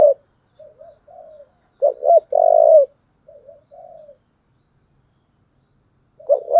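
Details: Spotted dove singing thổ-style fighting coos: one full phrase of two short notes and a long steady coo, flanked by soft low murmuring coos, with another phrase starting at the end.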